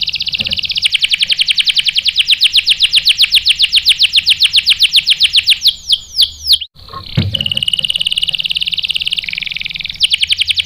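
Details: Canary in full song, used as bait to make another male sing: a long rapid high trill lasting about six seconds, a few sweeping notes, a brief break, then more fast trilling.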